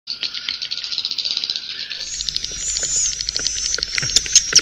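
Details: Swiftlet roosting call, played to lure swiftlets to roost: a fast, uneven patter of dry clicks and chirps, high and thin, growing busier and louder in the second half.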